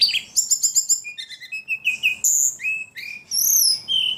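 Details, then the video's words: Ledekan described as a very prolific singer: rapid bright chirps repeated about five times, then sliding whistled notes, falling slurs and high rising trills in a varied, nonstop phrase. "Burung ledekan paling gacor"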